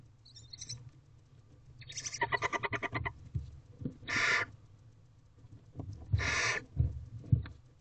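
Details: Barn owl owlets in a nest box, hungry and crowding their mother before dawn, 4:34 am, 20 April 2023: a rapid stuttering pulsed call, then two long breathy hissing screeches, with scuffling and knocks between.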